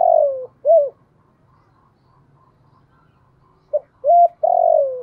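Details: Spotted dove cooing to attract wild doves: a long sliding coo and a short hoot, a quiet pause, then another phrase of quick hoots leading into a long falling note.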